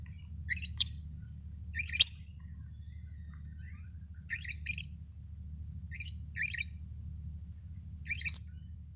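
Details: Pet lovebird giving short, sharp, high chirps in scattered bursts about every one to two seconds, some doubled, over a steady low hum.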